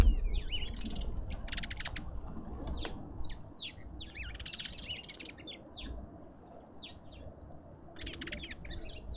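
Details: Lovebirds at a garden feeder in a suburban garden in Pretoria, South Africa, giving a dense, continuous stream of shrill, high chirps from several birds overlapping at once, with low background rumble throughout.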